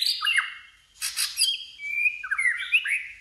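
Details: Fighting-contest song of a white-rumped shama: rich, varied whistles swooping down and up, broken by a burst of harsh snapping notes, then bright rising slurs.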